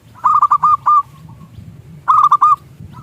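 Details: Local zebra dove lure song to make other doves coo: two clear phrases of quick, rolling coo notes over a steady low hum of background noise.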